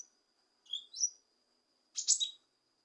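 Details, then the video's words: Leafbird sound used to provoke a lazy leafbird into singing: two bursts of high, sharp chirps, the first a pair of short rising notes, the second a dense buzzy flurry, separated by a second of silence. "Cucak Kinoi Untuk Memancing Emosi Kinoi Malas Bunyi"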